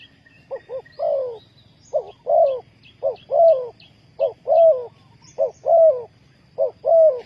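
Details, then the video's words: Spotted dove calling as a decoy for trapping wild doves. Brisk series of paired coos, each a quick short note leading into a fuller, slightly falling tone, repeated evenly. Faint high chirping and a low hum. "นกเขาใหญ่สายต่อดิน,Tekukur pikat,Cu gáy Ninh Thuận,Sound Of dove"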